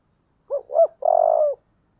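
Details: Spotted dove, thổ-style voice, calling to provoke a fight. Three parts: a brief low hoot, a swelling arched note, and a drawn-out vibrating coo that sinks slightly at the end. No other sounds are heard.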